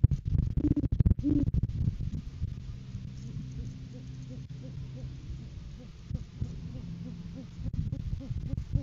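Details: Great horned owl, courting season, live cam on 7 January 2023 as the male brings a food gift for the female; two strong hoots at the start among crackles, then a faint rapid series of short hoots.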